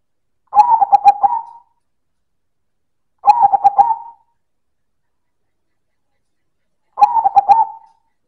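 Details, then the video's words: Zebra dove of the silver variety (perkutut silver) cooing loudly in manggung style: three phrases roughly three seconds apart, each a quick run of clipped, bubbling notes ending in a drawn-out coo, with silence between. "Suara Perkutut Silver - Manggung Keras dan Istimewa"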